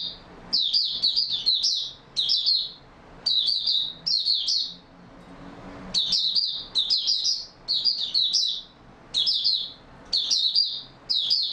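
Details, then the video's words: Oriental white-eye in steady open singing, 28 February 2022, delivering repeated sprays of bright, high-pitched chattering trills, each phrase under a second, following one another almost continuously with short gaps. "Mata Puteh Raja Video 1 buka sing stable form"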